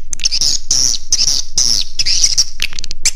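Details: Swiftlet lure sound: a shrill, buzzy high trill pulsing in rhythmic waves about twice a second, with a few sharp chirps at the end and a low hum underneath.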